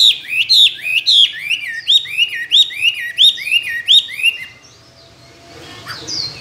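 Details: Tame caged Chinese hwamei, a good fighting singer with many wild voices, repeats one rising-then-dropping whistled phrase about nine times in quick succession, then falls quiet with faint background noise.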